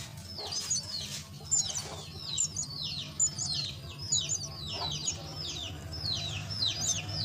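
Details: Feeding time for myna chicks in a nest: a steady series of many short, downward-sweeping squeaky calls, fairly quiet, over a continuous low rumbling background.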